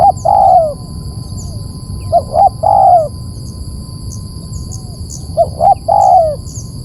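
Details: Lure call of a spotted dove, three phrases spaced about two seconds apart. Each phrase is two brief hoots followed by a drawn-out descending coo, over a low rumble and a faint high whine.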